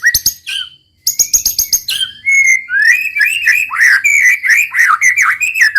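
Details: Murai batu (white-rumped shama) singing roll tembak: quick repeated sharp notes, then a long, rich, continuous run of rolling, warbled whistles that wavers up and down.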